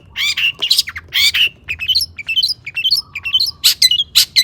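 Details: Long-tailed shrike (cendet) singing imitation-filled material as a lure: harsh squawks mixed with rising stepwise chirps and scattered high sharp notes.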